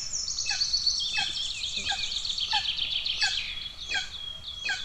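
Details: Hungry golden eagle chicks in Estonia on 2 June 2024, the older sibling attacking the younger: a long high whining whistle, then short sharp downslurred squeaks repeated roughly every half second, fairly clean background.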